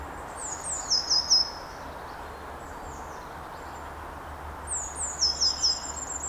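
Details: Firecrest calling from about eight or nine feet up in a woodland where it is resident, March: two bursts of very high, thin, rapid notes sliding slightly downward, each ending in a few sharper ticks, with low steady hum behind.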